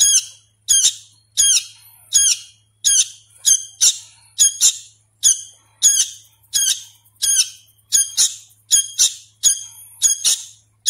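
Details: Sooty-headed bulbul chick begging during hand-feeding, a steady series of hoarse, grating double squawks roughly every second, loud and insistent, with a faint electrical hum behind.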